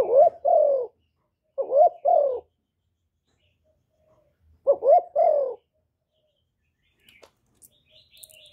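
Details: Spotted dove coos meant to stimulate decoys and males for luring. Three quick double-note phrases, each a short rising hoot then a falling one, are followed by silence and faint high chirps near the end.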